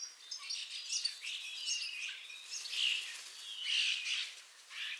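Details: Ringed common starling with a leg injury, returned to Liepāja, Latvia, in spring 2023, gives varied chirping, warbling phrases with slurred notes that rise and fall, the loudest near the end.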